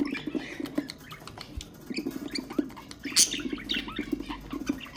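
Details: Budgerigars kept as ornamental cage birds, their sounds used to stimulate other birds. A dense, busy chatter of squeaky warbled notes, clicks and rapid pattering, with a sharper squawk near the middle.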